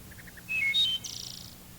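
A wood thrush sings: a few soft introductory notes, clear flute-like whistles, then a fast fluttered, metallic-sounding trill to close.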